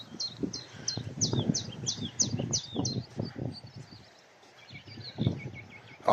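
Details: A common nightingale, an early arrival, gives subsong on a breezy morning at Lynford Woods, Essex: a quick run of high, hooked whistled notes, about three a second, fading into softer twitters while a man talks quietly.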